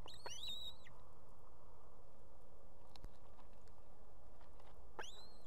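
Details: At a nest in Estonia with two chicks, a female osprey calls for the male to bring food; two rising, slightly drawn-out whistles about five seconds apart, background hiss between.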